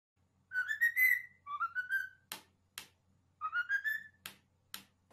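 A parrot whistles a tune in three rising, slurred phrases with rich overtones, broken up by sharp clicks or taps in a small room.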